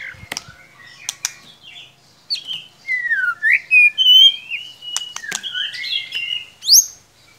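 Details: White-rumped shama singing as a lure for a bird that sings too little: sharp clicks, then a flowing sequence of varied swooping whistles and warbled notes ending in a high upslur.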